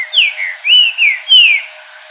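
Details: Wild green-winged saltator at nightfall giving a run of loud, clear whistles, each note gliding down in pitch, four or five notes strung together before a brief pause.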